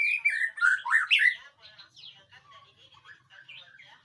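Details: White-rumped shama in a training recording meant to prompt a reply: a loud burst of rich, tumbling whistled phrases in the first second and a half, then fainter scattered chirps and warbles.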